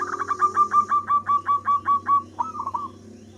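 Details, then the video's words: Manggung song of a local zebra dove, sung actively: rapid staccato cooing notes repeated roughly every fifth of a second, ending in a rolling, wavering trill, with a low steady hum behind. "suara perkutut manggung"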